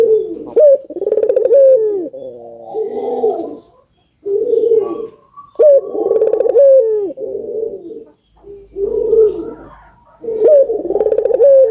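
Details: Albino collared dove cooing as a recording used to prompt other doves into calling: deep, throaty three-part coo phrases repeated roughly every few seconds, each with a short rising note, indoors.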